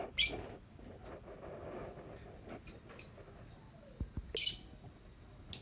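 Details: Lovebird song made of scattered high, squeaky chirps in short bursts, with a few dull clicks and knocks between them.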